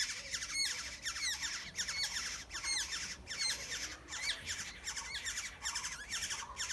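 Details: Black-headed oriole nestlings begging as they are fed in the nest, making dense, shrill squawking calls with upswept notes repeated in quick, uneven bursts, nearly continuous throughout.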